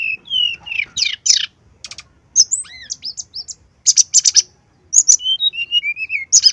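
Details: Brown-chested jungle flycatcher giving constant song as a lure for other birds to sing: rising slurred whistles, clipped buzzy notes, arched high phrases and falling whistled notes, varied and quick-paced.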